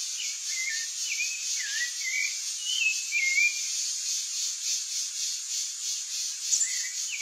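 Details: Rufous-bellied thrush giving soft whistled, warbling phrases in short bursts with gaps between them, partly masked by a loud, continuous high-pitched background hiss.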